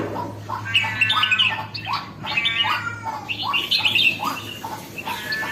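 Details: Jambul, the red-whiskered bulbul, just coming into lively form, gives a run of quick rising, chattering phrases, about two per second, bright and harmonic, with a constant low hum underneath.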